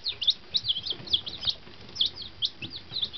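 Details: Fancy chicks one day old, freshly arrived at their new henhouse, chirp with shrill, piercing peeps that rise and fall. The calls overlap in quick, uneven runs.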